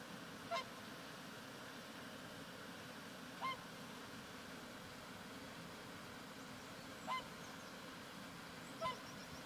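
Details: Whooper swan pair flying in Lithuania, where they breed, keeping contact with four short bugling honks spaced two to three seconds apart, over steady rushing wind.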